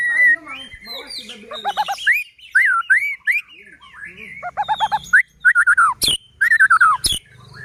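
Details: Kept white-rumped shama singing to agitate and trigger rival shamas: varied loud whistles, bubbling double notes and sharp upward sweeps, with some mechanical clicks and a faint low hum.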